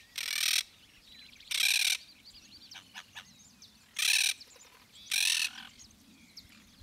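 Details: Yellow-headed Caracara at Gualeguaychú, Entre Ríos, Argentina, giving four harsh, hissing screams, each about half a second long, in two spaced pairs, with faint chirps from smaller birds in between.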